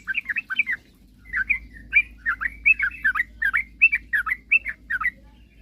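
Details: Sooty-headed bulbul song used to provoke rival birds into singing: a lively string of short bubbly whistled notes, rising and falling, in quick uneven phrases with barely a pause, over a low steady hum.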